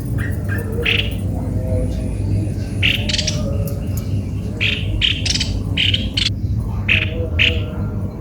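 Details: Cucak kopi-kopi giving short, harsh, buzzy notes in irregular bursts, some paired, over a steady low hum.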